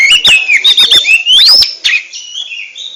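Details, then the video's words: Captive oriental magpie-robin sings a quick string of warbled whistles ending in a long rising whistle, then soft trailing notes, in the ngentrok style. "RAJA NGENTROK!!! Kacer super kicau"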